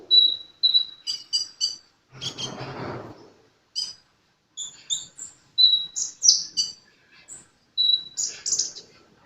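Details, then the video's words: Sunbird song of clear thin whistled notes, repeated twice, then high sharp chirps and trills in short groups, with a brief rustling noise and quiet pauses between phrases. "Burung kolibri gacor"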